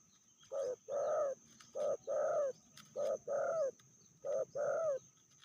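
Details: Female spotted dove from Indonesia, fiercer than the male, repeats a two-note coo four times about every 1.2 seconds, a short note then a longer wavering one.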